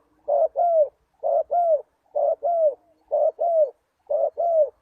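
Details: Spotted dove coos used as a lure for wild doves: five evenly spaced pairs of mellow notes, the second note of each pair longer and gently falling, with a faint low hum underneath.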